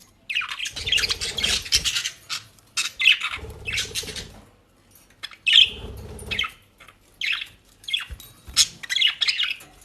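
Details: Budgerigars kept as pets in South Holland, Netherlands, eating dry leaves and grass; scratchy high chattering and chirps come in bursts, mixed with rustling of dry leaves.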